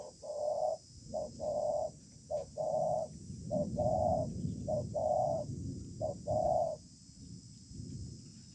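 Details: Spotted dove, caught wild, in a contest beneath a communal house; repeated low paired coos in a spaced pattern over a rumbling, noisy background, fading near the end.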